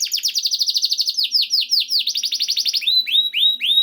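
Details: Canary song meant to spur canaries into song: a rapid run of high descending trill notes that slows into a few clear, separate upward-curving whistles at the end.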